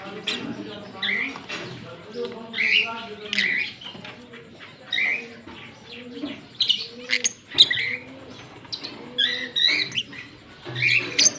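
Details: Singing and chirping from a green pair of Fischer's lovebirds on October 16, 2023. Rapid, busy high twitters and squeaks follow one another almost without pause, rising and falling in loudness throughout.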